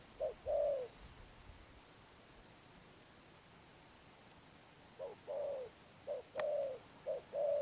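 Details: Wild-caught spotted dove cooing, 'Thúc Đồng Pha Sấm' style with 'Sấm Thổ' tone. After several seconds of quiet, short-then-long coo pairs appear at the start and again near the end, about one per second. A single sharp click is also heard.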